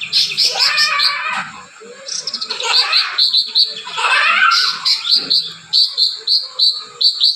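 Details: Cucak ranting in dense, scratchy high song with rapid chattering passages and clipped repeated chips toward the end, low background music present.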